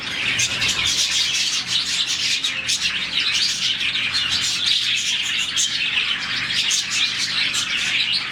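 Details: Contented morning chatter from a colony of around 40 budgies: unbroken high twittering and warbled chirps from many birds together, with occasional sharper squawks rising above the mass.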